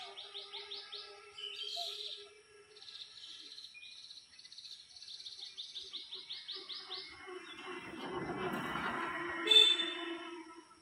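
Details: Orange-headed thrush phrases: fast trills of rapid repeated notes, a short pause, then a longer rolling series of the same notes, ending in a burst of broad rustling noise.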